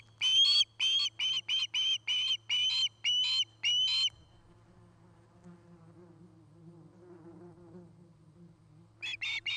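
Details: Osprey on a nest near Charlo, Montana, early afternoon of 8 September 2018: about ten shrill whistled chirps in four seconds, then a quiet stretch of soft low rustling and hum, before the calls resume faintly.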